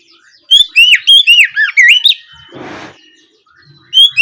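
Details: Ngeplong song of an Oriental magpie-robin, played in the late afternoon to stir birds into replying: rapid loud whistled notes swooping up and down, a short noisy rustle, then another whistle begins.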